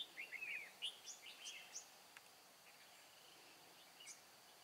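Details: Red-whiskered bulbul used as a decoy while trapping on 23 April 2017; short bright chirped and whistled phrases in quick bursts over the first two seconds, then a few isolated notes, with a faint steady background hiss.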